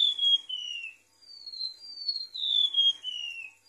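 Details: Golden-bellied gerygone song used as a bird-luring recording: thin, high whistled notes that each slide downward, a long falling note, a short pause, then a run of descending whistles linked into a drooping cascade.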